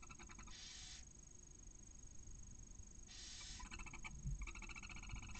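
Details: Barn owls at a nest near Casa Palillos, Cabañeros National Park, Spain, hours after a chick hatched, as the male brings a mouse and the female feeds the chick: two harsh, hissing screeches about three seconds apart, with quick ticking chitters between, over a low rumble.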